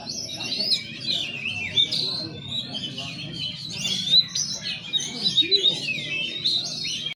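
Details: Slow-style song of a white-rumped shama: a flowing series of high whistles, slurred glides and brief chattering notes, with quieter pauses between phrases and faint low background voices.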